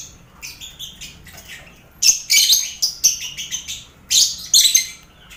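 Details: Lovebirds among finches and quail in a crowded colony cage, used to accustom contest lovebirds to noise; soft scattered chirps at first, then abrupt loud harsh squeaky bursts in quick succession.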